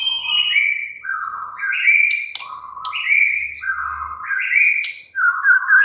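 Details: White-rumped shama singing a varied string of clear whistled notes, stepping up and down between low and high pitches, with sharp clicks and a faint low hum in the background.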